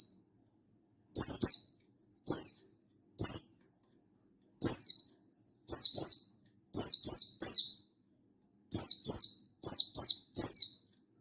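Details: Buxtoni mountain white-eye in lively 'gacor ngalas' form, calling a rival and used to stir other white-eyes into song: steady run of high, thin, falling chips, single or paired, about fourteen over eleven seconds, clean background.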